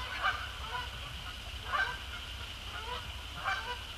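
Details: Canada Geese arriving at dusk over Sapsucker Woods Pond, resident and migratory birds together; clear two-part nasal honks repeated roughly every second, over a soft hum of distant calling.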